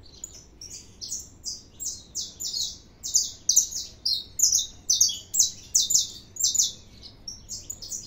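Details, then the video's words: A saffron finch singing at length, delivering a long run of high, slightly descending buzzy notes, roughly one to two per second and often doubled. The song swells in the middle and fades near the end over low background hum. "canário da terra 315 cantando muito"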